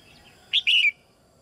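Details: A female red-whiskered bulbul sings in her cage to prompt young birds into song: a single bright phrase, a quick sharp note then a longer wavering whistle that slides downward.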